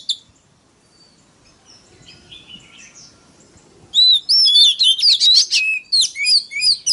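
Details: Oriental magpie-robin (kacer) lure recording to rouse other birds: faint distant twittering for about four seconds, then a loud, fast run of sharp whistled and sliding notes.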